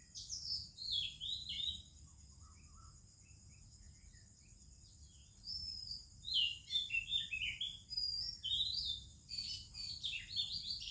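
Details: Oriental magpie-robin and other birds singing on an Indian morning: bursts of sweet whistled phrases at the start and again after six seconds, over a constant high pulsing insect-like drone.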